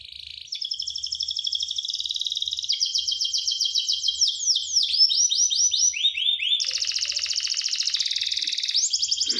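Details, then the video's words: Canary singing a long, varied song: rapid buzzy trills and rolls, a run of fast descending whistled notes near the middle, then dense high rattling rolls to the end, with a faint low hum underneath. "The Voice of the Canary Bird, singing a super relaxing bird melody"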